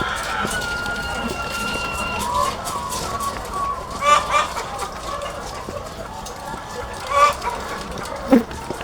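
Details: Chicken farm with thousands of egg-laying hens: a long, even drawn-out squawk at the start, then a busy chorus of clucks broken by a few short loud cackles.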